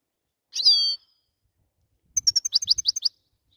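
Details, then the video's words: Goldfinch song: a short bright twittering phrase with a sliding, buzzy note, a pause, then a quick series of about eight clipped high notes, crisp and clean with no other sounds. "Best song goldfinch"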